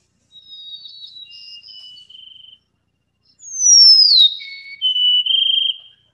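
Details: Golden-crowned sparrow songs recorded in the Rockies: plaintive high whistles stepping downward, the louder phrase opening with a long sliding, bending note before lower, steady whistles; a regional dialect differing from Salt Spring birds.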